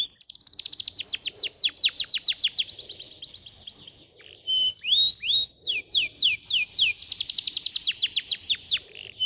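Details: Tutor song of a canary, meant to get other canaries singing: a long rapid rattling trill of high sweeping notes, a short break, then pure whistles and another fast, ringing trill running to the end.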